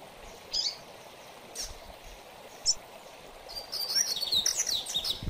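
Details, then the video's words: Double-collared seedeater singing in the mateiro style, said to excite other males: three short high chirps spaced about a second apart, then a rapid twittering, warbled phrase of high notes, over a steady background hiss. "Coleiro Mateiro - Ótimo Para Manejo de Fibra a Maioria Dos Coleiros Fica Fogoso a Escutar o Mateiro!"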